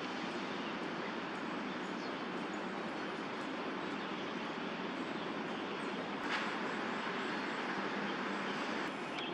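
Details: Steady urban traffic hum fills an outdoor city scene, with a faint click or two and no clear animal call.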